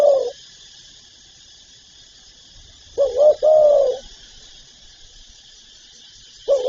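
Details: Spotted dove in full song of calling and cooing: one complete low phrase, short double coo then a long falling coo, with clipped coo fragments at start and end over a quiet hiss.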